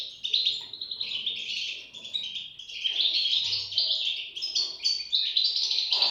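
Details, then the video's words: A cluster of European goldfinch chicks producing thin, twittering high notes in waves, some calls rising sharply, with a faint low hum in the background. "صوت فراخ طائر الحسون"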